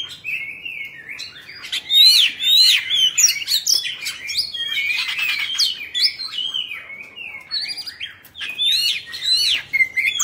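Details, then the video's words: A caged 'Bạch Bạng' Oriental magpie-robin sings while spreading its tail in display. It gives a rapid, jumbled medley of sweet whistles, chattering notes and scratchy squeaks, about two phrases a second, fairly irregular. "Choè Than Bạch Bạng Hót Múa Xoè"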